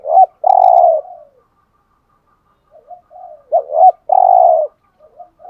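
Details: Spotted dove in the 'hạp bổi' voice, cooing to stimulate caged males. Two strong phrases open and close the recording, each with quick hooked lead notes and a long, even, low hollow coo. Soft murmuring notes fill the gap.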